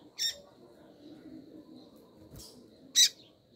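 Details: Female double-collared seedeater calling to stimulate the male: two sharp, high, explosive chip notes about three seconds apart, with a fainter note between them over a quiet background.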